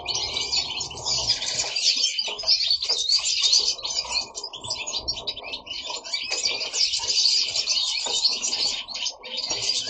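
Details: Goldfinches singing at home form a busy, near-continuous tangle of high tinkling twitters and buzzy trills, rising and falling in loudness throughout.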